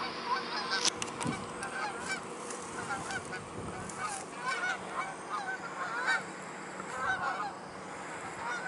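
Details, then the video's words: A flock of Canada geese calling, with many overlapping short nasal honks scattered through the clip over a busy background of clicks and rustling. "Canada Geese"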